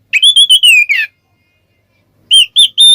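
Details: Ngeplong song from an Oriental magpie-robin, played to provoke other birds: a quick run of five clear whistled notes, slightly falling, then silence and three more bright rising whistles.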